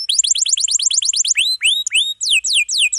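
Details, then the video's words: Canary song of rolls used to train young or quiet canaries: rapid repeated rising-falling notes, then slower drawn-out upward whistles and downward slurs in irregular sequence. "KENARI GACOR ROLL PANJANG"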